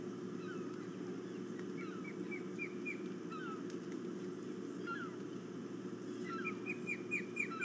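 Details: Ospreys flying around in the early morning near a perch; series of short, sharp, upslurred whistled chirps in quick bursts, several birds calling against a steady low hum of background noise.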